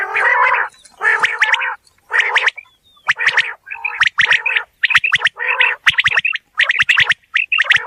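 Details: Quail in a real outdoor setting calling repeatedly, about once a second: raspy, gargling bursts followed by a run of rapid sharp chirps toward the end.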